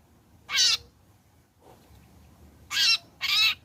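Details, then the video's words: Long-tailed shrike after moulting, in a lure recording meant to make shrikes sing: one loud harsh rasping burst, a pause of two seconds, then two more grating, noisy bursts in quick succession. "Burung Cendet Gacor Selepas trotol PANCINGAN CENDET AGAR BUNYI jadikan cendet langsung Gacor"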